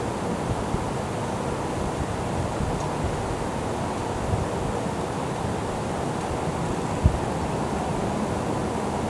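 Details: Continuous low rumbling wind or surf-like noise with no animal calls.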